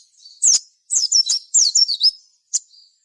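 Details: Clear high sogon phrases used to lure other sogon into song: loud sharp chirps followed by slurred, descending whistled notes in quick groups, then a single short chirp.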